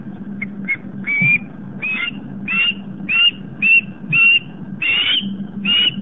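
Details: Female osprey at a nest on Long Island, New York, around 7:50 pm, chasing off an intruder that landed: a run of sharp, rising whistled cries repeated almost twice a second over steady low background noise.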